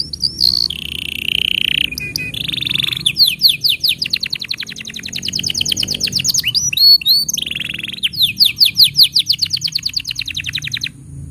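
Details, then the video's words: Canary tutor song aimed at juvenile canaries and silent singers. Alternating passages of steady buzzy rolls and rapid trains of bright down-slurred whistles, with a short cluster of sharp high chirps midway, continue over faint background hum. "Masteran Untuk Kenari Paud Dan Pancingan Kenari Macet Bunyi"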